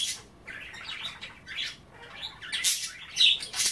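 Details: Budgies at bath time nibbling wet kale, chattering softly; warbled twittering phrases with brief harsh squeaky notes near the end and bright splashy bursts.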